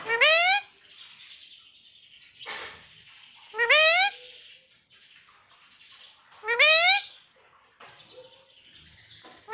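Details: Pet parrot chattering mummy and papa without pause; three loud, harsh rising calls come roughly every three seconds, separated by low raspy muttering and brief hissy bursts.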